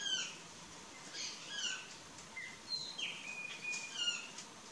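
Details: Plush-crested Jay at corn along a trail gives a series of short, ringing, clipped calls, some whistled and slurred, scattered irregularly over a few seconds with faint background chatter.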